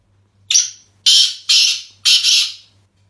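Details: Sindhi black francolin giving its harsh call: one brief rasping note, then three drawn-out scratchy notes, each about half a second and closely spaced, over a faint low hum.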